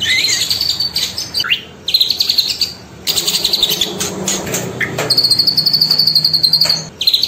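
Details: Cililin singing in high, thin whistled phrases, then a fast run of even chittering notes, about six per second, held on one pitch; played as a morning and midday master recording for training birds.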